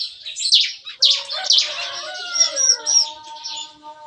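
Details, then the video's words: Caged bar-winged prinias in a breeding aviary in the morning: three loud, sharp high chirps about half a second apart, then softer twittering over sustained lower whistled tones. "Nembak-nembak! Kicauan CiKris Pagi Hari"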